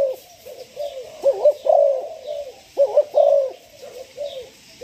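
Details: Young spotted dove, aged six months and newly ready for decoy training, utters soft, deep coos grouped into two main bursts with a doubled, wavering accent note in each, quieter trailing coos between, and faint distant twittering.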